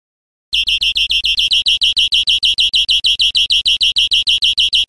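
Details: Song of a European greenfinch, recorded to teach caged birds: a brief pause, then a rapid, very regular series of bright chirping notes, about five to six per second, held at one steady high pitch.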